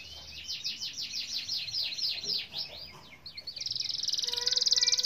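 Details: Canary song used to coax silent canaries into singing: a run of quick falling whistled notes, somewhat muffled by hiss, then a rapid buzzing trill.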